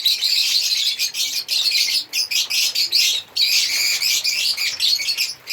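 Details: Bursts of shrill, scratchy chirping from African lovebirds, each lasting about half a second to a second with quick breaks between.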